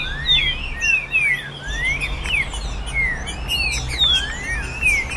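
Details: Song of a green-winged saltator, a caged tournament bird in virada caratinga style, used to stimulate other birds: bright whistled phrases, falling then long rising slurs, repeated with brief gaps over low hum.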